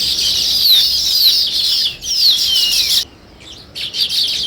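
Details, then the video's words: Sparrows chirping loudly and continuously, a dense high chatter with several downward-sliding notes, then a sudden near-silence before the chirping resumes. "Sparrow Chirping Sounds"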